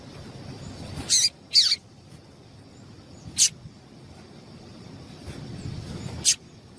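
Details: Female double-collared seedeater call used to excite males into singing: a quick pair of bright, high, downward-sliding chips, then single sharp notes about two and five seconds later, with low background rumble.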